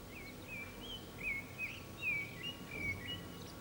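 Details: A common blackbird singing from an antenna in the town centre of San Martín, Zamudio, Bizkaia, on 18 April 2019, gives short, fluty whistled phrases with slurred rising and falling notes, a few each second, over steady hiss.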